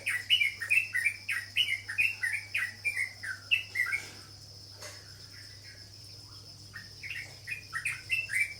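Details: Cucak jawa or trucuk, the sooty-headed bulbul, sings rapid slurred chirps for about four seconds, pauses for roughly three seconds of near quiet, then resumes the same bouncy chirping phrase.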